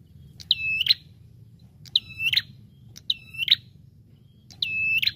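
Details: Lure-sound recording of a Bar-winged prinia: four loud, flat whistled calls, each finishing in a crackling buzz, spaced about 1.3 to 1.5 seconds apart over a continuous low background drone.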